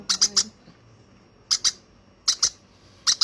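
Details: Hand-fed baby conure giving harsh, scratchy squawks in tight bursts of two or three, four bursts over about three seconds with quiet gaps between, indoors.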